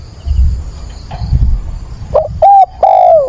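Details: Decoy spotted dove calling at dawn on 22 October to stir and train another dove; after about two seconds of low rumbling background, one loud cooing phrase: short hooting notes, then a drawn-out note sliding downward.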